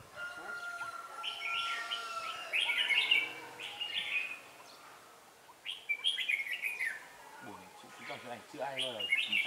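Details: Red-whiskered bulbul used as a decoy in a trap, 4 December 2016, challenging rivals with clusters of bright warbled phrases separated by short gaps; a man's voice briefly intrudes near the end.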